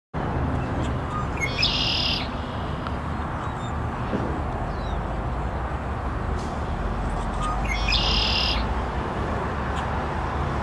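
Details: Red-winged blackbird singing, giving two short, harsh, buzzy trills several seconds apart over a heavy, constant low rumble of background noise.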